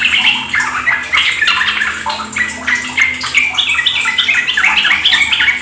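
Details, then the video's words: Yellow-vented bulbul chorus in 'ropel gacor' style: quick chattering notes about three or four per second, falling slurred phrases stacked together, a faint low hum underneath. "Pancingan trucukan agar ikut ropel gacor"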